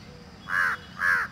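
Two loud, nasal peafowl calls, each a brief arched honk, about half a second apart, over faint background hiss.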